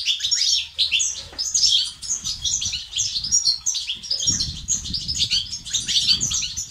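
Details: European goldfinch song of the 'bitbita' and 'sts' styles, used to stir silent males into singing: dense, high, liquid twittering and buzzy trills pouring on without pause, with low rumbling and thumps beneath.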